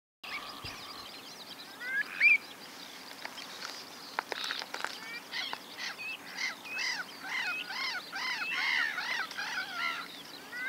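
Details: Avocets at Pennington Marshes, Hampshire, in June 2024, calling together: a busy stream of short, fluty, bouncing 'kluit' notes that build into a steady chorus over a soft background hiss.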